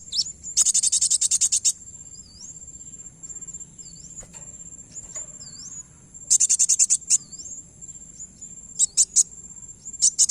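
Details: Kowul bird calls used as a lure for other birds: bursts of rapid, buzzy, very high chirping, separated by short upslurred whistles over a steady high ringing tone.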